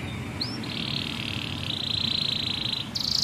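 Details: Canary song meant to train young canaries: one rising whistle leads into a long continuous buzzy trill that changes pitch midway, closing with a bright high rattle.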